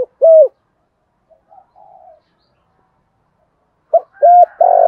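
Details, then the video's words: Spotted dove in the Vietnamese 'thổ' voice style giving urging coo calls, used to excite decoy birds: a loud low hooting phrase of short steady notes opens and closes the stretch, with faint soft murmurs and a long silent gap between. "tiếng chim cu gáy giọng thổ thúc gù gáy gọi"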